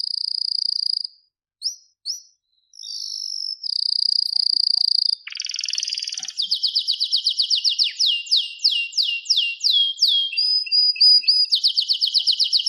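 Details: Canary singing at length: steady high whistles and short notes, a burst of harsh noise, then fast repeated downward-sweeping notes forming rolling trills.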